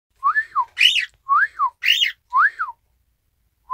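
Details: Isabelle pearl cockatiel kept as a pet, recorded 1 December 2018, copying a whistled "ppoiyo": clean rising-falling two-part whistles alternate with harsher, buzzier arched copies, about one per second, in a quiet room.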